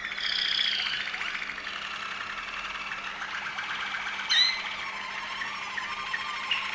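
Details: Song of a Waterslager Malinois canary from Veliko Gradiste, Serbia: sustained liquid trills with a steady warbling texture, broken by a short sharp whistled note around the middle and a faint low hum behind.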